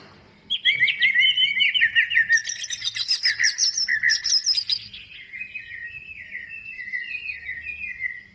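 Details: Greater green leafbird in full song, played as a lure to get lazy birds singing. It gives a rich run of varied whistled and chattering phrases for about four seconds, then softer, lower warbled notes trail off.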